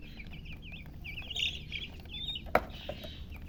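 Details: Baby chicken chicks chirping: a run of thin high peeps and short falling notes, several birds overlapping, with a sharp click near the end and a low steady hum beneath.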